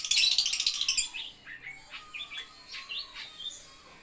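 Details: Lovebird at a bird playground opening with a rapid buzzy rattle of repeated notes, then switching to spaced, bright, upward-flicking chirps.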